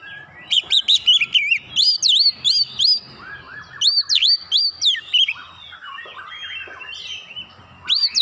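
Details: Lure song of an Oriental magpie-robin meant to draw a reply: bursts of loud, sharp whistled notes that swoop up and down in quick series, with pauses, softer lower warbled phrases in between.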